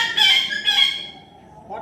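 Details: Young pet parrot talking in a harsh, squawky voice, saying "What happened?" twice in quick bursts, then going quiet.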